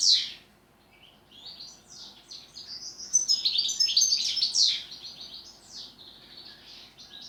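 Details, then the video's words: European goldfinch performing pletivo ziju u ziju stanka song: a sharp opening note, brief quiet, then a long, lively run of high, liquid twitters and buzzes that grows louder mid-phrase and trails off. "Štiglić, Grdelin, češljugar PLETIVO ZIJU U ZIJU STANKA"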